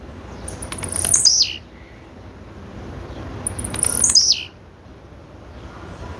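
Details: Two high, slurred calls from a female blue-black grassquit, each falling quickly from a piercing start to a lower buzzy end, roughly three seconds apart; faint hum underneath.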